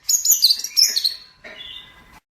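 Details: Brief long-tailed shrike master song for training birds: squeaky, high, warbled notes sliding up and down, followed by a softer, lower, drawn-out rasp.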